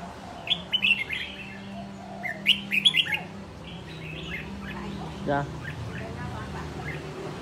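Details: A caged red-whiskered bulbul, taken from the wild and kept one year until fit for competition, gives loud clipped whistled phrases in two bursts, followed by quieter chatter and low hum.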